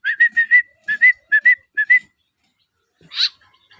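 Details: Young white-breasted woodswallow being hand-fed, giving its begging call: paired, whistled chirps repeated in quick short bursts for about two seconds, then a brief pause and one harsher, noisy note.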